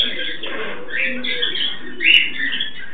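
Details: Two pet Amazona aestiva parrots during mating give a steady stream of grating, nasal chatter with soft low grumbling, peaking in one sharp squeal near the end.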